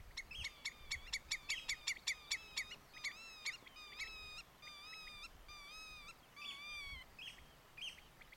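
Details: An alarmed Common Redshank in Groningen province, Netherlands, gives a fast burst of sharp piping notes, then slower, ringing whistled 'tyew' alarm calls about twice a second, over a soft wind-like hiss.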